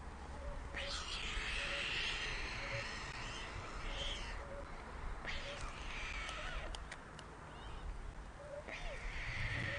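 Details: White storks at a nest in Ustroń, Poland, on 7 July 2019 at 18:34 as food is brought to two chicks. Hoarse, raspy bursts about a second long come every one to two seconds over a constant background hiss.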